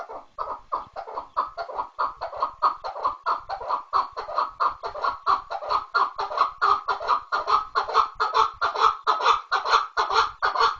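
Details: Chukar partridge in a long, fast, rhythmic chorus of raspy chuck notes, more than two per second, swelling steadily in loudness across the sequence.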